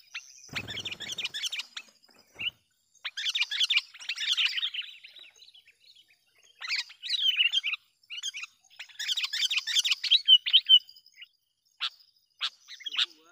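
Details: Chattering Sooty-headed bulbul lure call, aimed at provoking wild bulbuls: long tumbling bursts of bright, jumbled notes alternating with short gaps and a few single sharp chips. A brief low rumble is heard early on.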